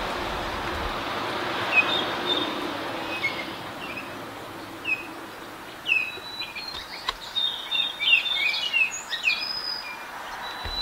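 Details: Adult and juvenile Baltimore orioles singing: a scattered series of short clear whistled notes, some sliding down, growing busier toward the end over a steady background hiss and a low hum.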